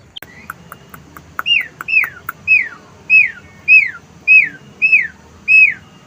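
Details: Asian pied starling kept on a house terrace, singing with wild-bird material: a few sharp clicks, then eight clear downslurred whistles repeated at steady intervals of roughly 0.6 seconds.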